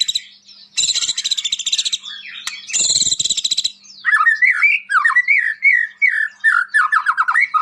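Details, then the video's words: Vigorous white-rumped shama used as a master for training caged shamas: two harsh, broad buzzing rattles, then a rapid run of warbled, chattering notes wavering up and down, delivered in quick bursts. "SUARA OCEHAN BURUNG MURAI BATU GACOR UNTUK MASTERAN MURAI"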